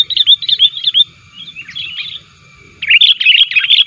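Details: Sooty-headed bulbul calling actively to challenge rivals, played to lure wild bulbuls: a string of quick chirps, a softer warbled stretch, then a renewed burst of busy, tumbling chirping notes.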